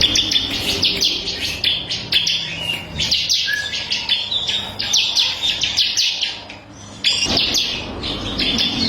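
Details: Long, dense song of a bar-winged prinia of the crystal variety, intended for tutoring songbirds: continuous rapid high chirping with a brief lower whistle and a short quiet gap near the end.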